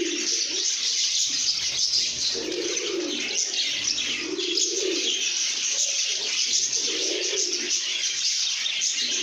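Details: Lovebirds singing and chirping happily: a dense flock chorus of high, scratchy twitters, with a pulsing, repeated low cooing sound underneath.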